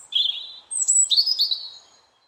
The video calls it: Robin Singing